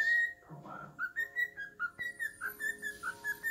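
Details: On Halloween, a male pet cockatiel whistles "Twisted Nerve" at its owner's foot, a steady run of short, pure whistled notes repeated about three times a second, some dipping in pitch, indoors.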